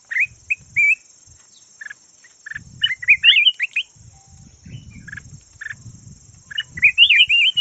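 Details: Caged decoy red-whiskered bulbul, called yellow red-whiskered bulbul, singing short bright whistled warbling phrases with quick up-and-down slurs, separated by pauses; a steady high electronic whine and low rustling thumps run underneath.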